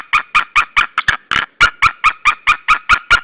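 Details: Male and female white-tailed eagle screaming together at the Saunja nest in Estonia, March 2013; steady fast series of ringing yelps, about fifteen notes in three seconds, with a brief overlapping stutter midway.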